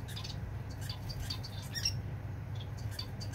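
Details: Song of a society finch out in the breeze on 4 October 2022, made of quick, thin, high chips and squeaky notes in irregular bursts, with a constant deep wind rumble underneath.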